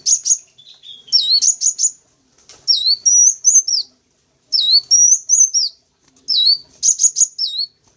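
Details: Sunbird calls played to lure wild birds: groups of very high, hooked chirps and short rapid runs, each group lasting about a second, with clear silent gaps between them.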